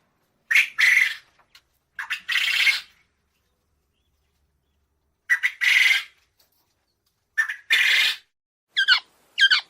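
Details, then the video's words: A quail gives harsh, raspy calls: a short clipped note followed by a longer scratchy burst, repeated about every two to three seconds. "Tunog ng PUGO | Sound of QUAIL"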